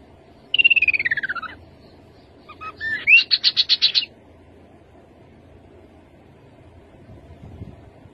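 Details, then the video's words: Rufous-capped babbler song: a pulsed, trilling phrase sliding downward from high to mid pitch, then after a pause a short rising whistle leading into a fast, buzzy, evenly pulsed trill held at a high pitch, over a low background hum. "Khướu bụi đầu đỏ. tiếng khướu đầu đỏ"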